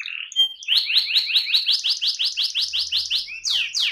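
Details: AF canary in 'ngerol' rolling song: a brief soft warble and high pip, then a long even series of quick rising-falling notes, ending with two broad sweeping syllables.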